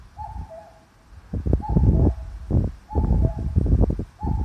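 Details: A common cuckoo in a park of big pines and oaks in Ageo, Saitama, Japan, 5 June 2021, gives its descending two-note call three or four times, half buried under loud rumbling wind.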